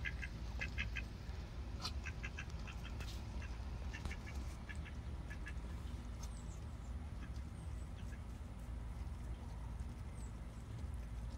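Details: A rapid run of repeated quacks comes from ducks while they are fed, bunched in the first few seconds and then sparser, against a continuous low-pitched hum.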